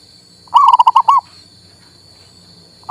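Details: Male zebra dove of local type, played to trigger song in a mute bird: one clear phrase of six quick bubbling coos, then near silence, over a steady high hum.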